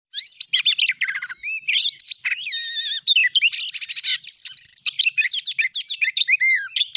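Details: Oriental magpie-robin singing in the rapid 'gacor nembak' style, used as a lure to stir other magpie-robins into song; dense, unbroken run of sharp chirps, upswept whistles and fast trills, high-pitched and varied throughout.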